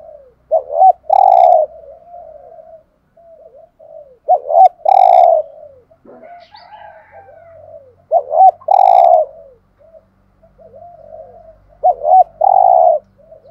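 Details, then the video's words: Spotted dove used as a decoy, its urgent cooing meant to draw in wild doves: four phrases, each a short double note and then a long, low, burry coo, about every four seconds, with soft murmurs between. "Chim cu mồi gáy giọng bài bản/ tiếng chim cu cườm mồi gù thúc"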